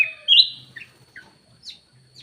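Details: Black-naped oriole lure call: one loud, drawn-out whistle followed by a few short, quieter chirps.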